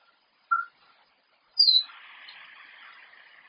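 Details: Captive 34-year-old female Congo African grey parrot, alone in the room and caught on a security camera while shredding a paper towel roll: two short whistled beeps, a low one then a higher falling one, followed by steady rustling.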